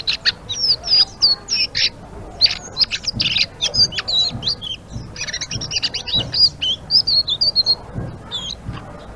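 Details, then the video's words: Blue-winged leafbird singing energetically in ngeriwik style: a long, restless stream of high whistles, chips and twisting slurs runs almost without pause for about nine seconds. "Suara Burung Selendang Biru Gacor❗❗ Ngeriwik"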